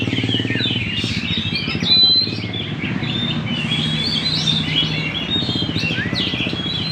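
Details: Energetic magpie-robin song recorded at Banjar Indah: crowded high chirps, slurred whistles and one rising note near the end, set against a noticeable low rumble and hum.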